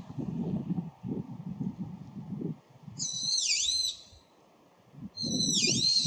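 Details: Brown-eared bulbul giving two loud, shrill, ringing calls that swoop down and back up, about two seconds apart, over low rumbling background noise and soft knocks.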